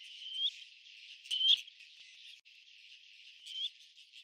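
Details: Black-necked grebe giving three brief, high whistles that rise sharply at the end, spaced about one to two seconds apart, over a constant band of hissing background noise.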